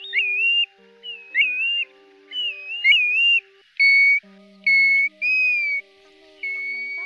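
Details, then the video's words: Pacific golden plover calls played to net migrating birds at night in August 2024: a run of quick looping, slurred whistles, then longer flat whistled notes about once a second, with soft low drones underneath. "Tiếng Chim TU HUÝT , Chim Choi Choi Vàng Lông Cườm"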